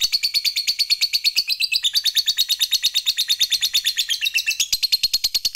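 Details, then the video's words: Lovebird fighter giving a long, unbroken 'ngekek' chatter used to provoke rivals: a fast, even train of sharp high pulses, about seven per second, continuing for the whole stretch with no other sounds. "NGEKEK TERUS Memancing EMOSI Lawan, Lovebird Fighter Ngekek Panjang SUPER GACOR Jeda ISTIMEWA"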